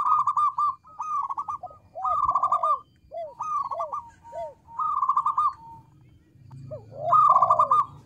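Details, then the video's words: Local zebra dove singing eagerly, its small but loud voice prompting others to respond: repeated short bursts of rapid trilled cooing alternating with lower arched notes, spaced about every second, with faint low rumble. "Perkutut lokal gacor suara kecil lantang keren banget bikin nyaut."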